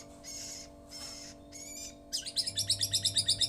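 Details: White-rumped shama song imitating a lovebird: buzzy, harsh high chirps in three bursts, then a rapid run of pulsed notes about eight per second, over a steady low electrical hum.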